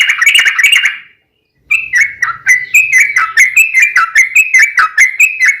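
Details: Yellow-vented bulbul singing as a lure for other trucuk: a short fast trill, a pause, then a run of lively whistled phrases with rising and falling notes, about two each second.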